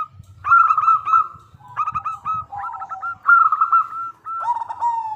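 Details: Zebra dove of local stock singing as a lure to draw answers from other doves. Bursts of rapid, bubbling coos alternate with brief pauses, some phrases dipping to a lower purring note, with faint low rumbling behind.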